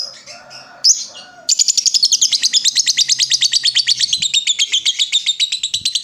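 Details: Ngekek-style lovebird chatter meant to draw replies from other lovebirds. Brief mixed chirps and a squeak lead into a long, unbroken run of rapid, piercing, buzzy notes, about six per second, with faint low background hum.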